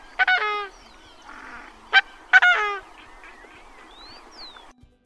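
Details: Coscoroba swan, an endangered species that breeds at Petrel wetland, Chile, gives loud, nasal, trumpeting honks, the onomatopoeic call behind its name: a drawn-out note, a clipped one, then another long honk, faint whistles behind.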